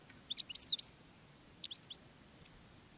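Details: European goldfinch used as a decoy to call wild goldfinches during a field day of silvestrismo; two short bursts of thin, high, twittering chirps, the first longer and busier, then a brief lone chirp near the end.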